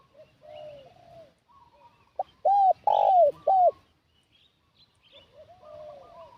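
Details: Spotted dove lure call for trapping wild doves: one burst of a short note and three strong, hollow, falling coos, framed by quieter distant cooing from other doves before and after.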